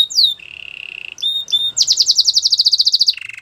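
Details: Belgian canary: one swept whistle, a low soft roll, two short bright notes, then a quick pulsed trill of about fifteen ringing notes dropping into a lower roll.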